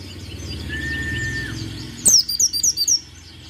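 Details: Singing white-eye: a soft sustained whistle gives way to a rapid string of about six sharp, high-pitched falling notes, with a low hum in the background.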